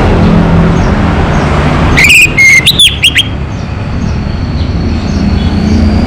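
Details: One brisk phrase from a local Orange-headed thrush singing strongly: a whistled note, a sliding whistle, then a run of rapid rising sweeps, set against a constant low hum of engine-like noise.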